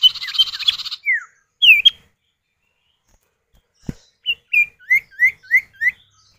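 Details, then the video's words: Common iora pair answering each other, a male-female exchange meant to set other birds calling: a buzzy rattle with slurred notes, a lone whistle, a click, then five quick rising-falling whistles evenly spaced. "Pancingan Burung Sirtu atau Cipow, suara jantan betina bersahutan"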